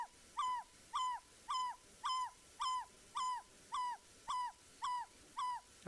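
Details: African barred owlet (Glaucidium capense) call played back on a winter sunset safari drive in the African bush: a steady, repetitive series of mellow, slightly down-slurred hoots, about two per second, over a quiet background.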